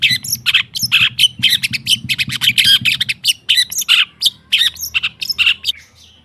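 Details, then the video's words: Long-tailed shrike singing in a training recording meant to get silent birds singing: fast run of scratchy chattered notes mixed with short whistled slurs, tailing off at the end; low hum in the background. "Suara TERAPI pancingan cendet /pentet macet total"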